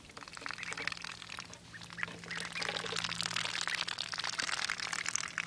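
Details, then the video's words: Noisy ducks, a dense run of harsh, rasping quacks tumbling over one another several times a second, rising in intensity toward the end over a steady hiss and a low hum. "Noisy ducks"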